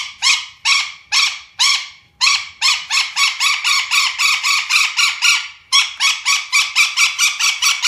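Golden parakeet giving loud, harsh, screechy calls, first spaced then in a fast run of about two per second, with no other sounds.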